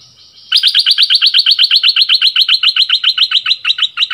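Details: Bulbul kept as a decoy bird delivers a loud, rapid string of identical bright chirps, about four per second, held steadily for over three seconds.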